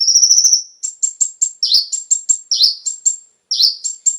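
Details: Brown-throated sunbird (konin) lure song for stimulating captive birds to sing: a long, high, sustained trill, then quick sharp high notes and repeated downward-swept buzzy chips in steady bursts.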